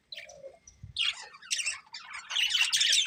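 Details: A breeding pair of colourful budgerigars gives a low nasal note, then builds into loud rapid high chattering and squawky warbles.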